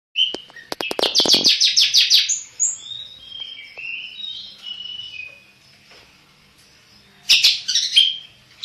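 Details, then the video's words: Black-headed long-tailed shrike singing busily: a fast rattling burst of harsh chatter, then a run of varied whistled and warbled notes that fade to a pause before another loud chattering burst. "burung cendet kepala hitam gacor"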